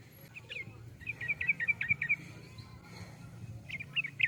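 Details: Somewhat faint Yellow-vented bulbul song: a rapid series of short, slurred chirps, a quiet gap, then a few more bright notes near the end against steady low-pitched background noise.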